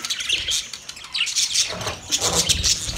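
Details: Budgerigars in mating chatter with quick high chirps and scratchy notes over a low rumbling background hum.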